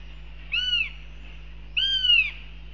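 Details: Northern goshawk calling in Riga, Latvia, on 11 June 2021 at 07:46: two drawn-out, high, slightly descending mewing whistles about a second apart, the second longer, over a faint steady low hum.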